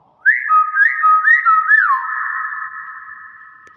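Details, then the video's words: Common hill myna calling actively: a sequence of four clear, rising whistled notes over a steady tone, ending in a long, level whistle that slowly fades, with no other sounds. "Burung Beo Gacor"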